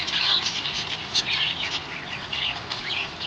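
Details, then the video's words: A happy budgerigar chirping: continuous rapid chatter of squeaky, scratchy warbling notes with brief sharper chirps, steady throughout against a noisy background. "Happy budgie chirping sound"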